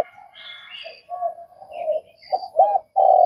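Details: Vietnamese spotted dove coo, soft muffled hoots rising into a loud rounded note and a sustained final coo, over faint high chattering of other birds.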